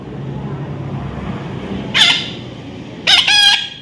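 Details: Baby parrot during a taming session, giving a single rough screech followed a second later by a longer doubled squawk of harsh stacked notes over a low murmuring background.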